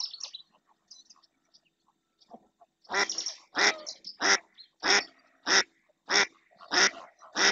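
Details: Female mallard calling insistently in the marsh of Doñana National Park, Spain, as another female and two males approach; after faint scattered notes, loud harsh quacks ring out steadily, about one and a half per second.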